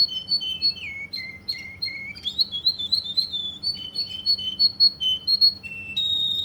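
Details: Russian canary singing in Kuwait: a clean run of whistled notes, some gliding down and holding low, then fast repeated high chirps and a brief loud buzz at the end, with faint low room hum.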